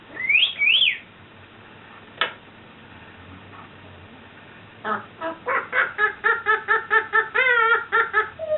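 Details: Pet African grey parrot, known for swearing and imitating burps and farts, gives two rising whistles, a sharp click, then a rapid run of about a dozen harmonic, voice-like chattering notes with warbling whistles.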